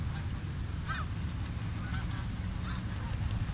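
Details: Snow geese on the Richelieu River, a few clear yelping honks near the start and end, with softer distant calls between, over heavy low-pitched wind or water noise.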